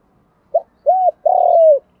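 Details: Spotted dove cooing as a lure to call other doves: a short note, then a smooth level coo, then a longer slightly throbbing coo that fades downward, all low and mellow in a quiet setting.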